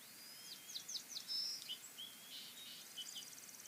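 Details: Nest feeding of bald eagle chicks at Fraser Point, 22 March 2019, mostly the two oldest chicks; quick series of high, thin chirps and whistles, then a soft rapid chatter, heard faintly against steady noise.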